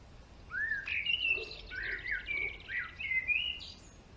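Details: Male European greenfinch song, a lively run of rising, twittering notes and short trills delivered in quick succession for about three seconds, clear above quiet outdoor background.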